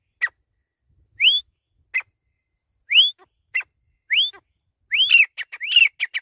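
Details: Grey francolin (desi teetar) calling in a loud series: rising whistled notes alternating with short sharp clipped notes, quickening toward the end into overlapping, rapid phrases with a clear background.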